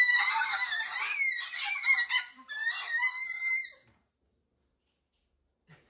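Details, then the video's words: Cockatoo giving a harsh, wavering screech with a steady tonal band, broken into two raspy phrases lasting about four seconds, followed by near silence; a woman talks to the bird indoors. "How to Talk TANGO"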